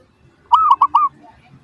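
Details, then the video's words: Perkutut, or zebra dove, singing as bait to draw replies from other doves: a single rounded three-note coo, long warbled first note, brief middle note, and a gliding final note, quiet background. "PANCINGAN Burung Perkutut Suara Paling Ampuh! Bikin Langsung Cepat Di Respons Pasti! Nyaut"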